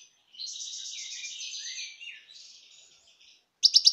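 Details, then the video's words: Wild European goldfinch song from 2018: a sustained, high, buzzy trill with a wavering pulse. It is followed by softer scratchy notes, then a sudden run of loud, rapid chirps at the end. "صوت الحسون البري"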